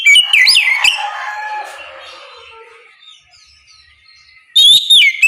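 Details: Ngeplong song of an Oriental magpie-robin at morning, used to draw answers from other magpie-robins: a burst of slurred whistles at the start, a long quiet murmur, then a loud whistled phrase returning at the end.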